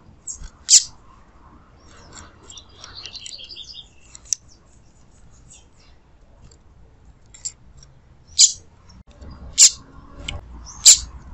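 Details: Female double-collared seedeater calling to stir up a male: sharp, high, piercing chips repeated about every second or so, spaced by a brief soft twittering phrase, in an otherwise quiet setting.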